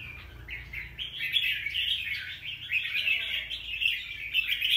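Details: A wild-caught Red-whiskered bulbul in its second season, newly molted, sings rapid twittering notes that begin softly and grow louder. A brief faint low tone is heard midway.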